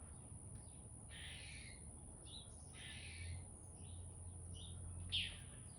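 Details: Backyard chickadee making a run of raspy, buzzy notes with brief softer chips between them, ending in a sharp bright note, over low rumbling background noise and a steady high whine.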